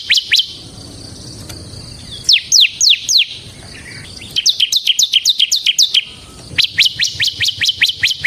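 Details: Semi-type bar-winged prinia in energetic ngebren song, intended as a lure and tutor. Scattered high chips, then a long, quickening stream of shrill downslurred notes with a slight stutter and a short break, over faint low background noise.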